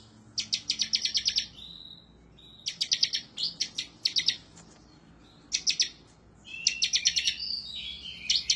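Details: Bar-winged prinia (ciblek) singing insistently and excitedly, looking for a rival; four bursts of very fast, high, ringing chip notes separated by short silences, the last ending in warbled whistles.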